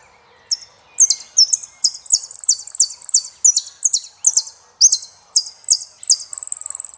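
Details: High, sharp chirps from a saffron finch repeat in clusters about every half second, growing denser, then close with a sustained, fast, buzzy trill.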